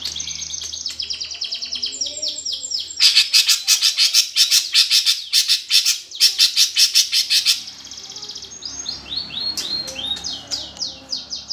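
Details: Sparrow-fight song of a greater green leafbird, used to spur contest birds into song: fast high twittering, then a loud block of harsh rapid churring pulses for about four seconds, ending in quick downslurred whistles.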